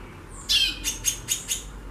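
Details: Female White-bellied seedeater calling a lot: a harsh downward-sweeping note, then four short, sharp, broadband chips at about one every quarter second, over quiet background hum.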